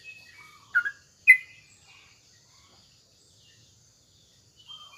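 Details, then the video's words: Sooty-headed bulbul, a kept bird, singing in the morning to provoke rival birds to reply; two short bubbly whistled phrases near the start, then quiet with faint distant chirps. "suara trucuk SATU ini AHLINYA bikin terapi burung trucukan gacor lawannya bikin NYAUT"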